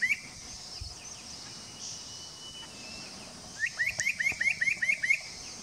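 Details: At Doi Lang in Fang, Thailand, on 25 March 2017, a spot-breasted parrotbill gives a brisk string of eight rising, whistled notes near the end, after a quiet stretch with faint distant bird notes and insect hiss.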